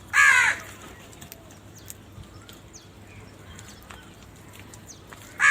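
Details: Crow giving one loud, harsh, hoarse caw at the start, then a quiet stretch with faint distant chirps and steady background hiss, before a second caw begins right at the end.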